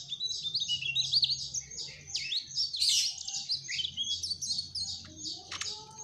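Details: Energetic trotol-style song of a Mugimaki flycatcher: loud, rapid, high-pitched chattering trills strung together almost without pause, with a few sharp chips.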